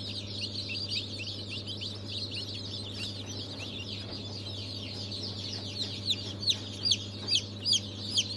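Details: Large group of newly hatched chicks (Brahma, Fizan, Australorp, Legbar), 3 March 2023 hatch, in a constant chorus of thin high peeps, with a few louder, separate cheeps near the end and a steady low hum.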